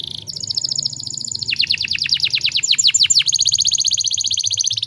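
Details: Canary song used to stimulate other canaries to sing: fast high chirping trills, then a run of sharply descending sweeping notes, returning to a rapid steady high trill, low background hum.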